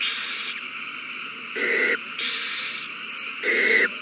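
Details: Nesting owls calling excitedly over a mouse passed from one to another, 21 March 2020; long rasping hisses alternate with shorter, louder screechy bursts, roughly one each second.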